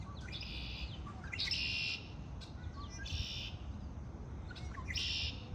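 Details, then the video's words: Birds in spring deliver repeated high, rasping trill bursts, roughly half a second each, with a few faint chirps between them and a soft low background hum. "آوای آرامش بخش پرندگان در بهار"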